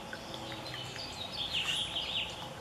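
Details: American robin fledgling by a lake in northern Illinois, 28 May 2016: a quick series of high, thin, squeaky notes in a rapid burst, with constant water noise behind.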